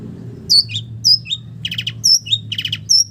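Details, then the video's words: Long-tailed shrike song packed with borrowed village-bird notes: piercing high whistles that drop in pitch, alternating with short buzzy rattles, each phrase separated by brief pauses. "SUARA BURUNG CENDET ISIAN BURUNG KAMPUNG"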